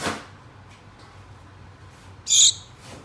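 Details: A single sharp, high call from one of two pet Gouldian finches calling a mate, brief and piercing near the end, after a soft knock at the start and otherwise near silence.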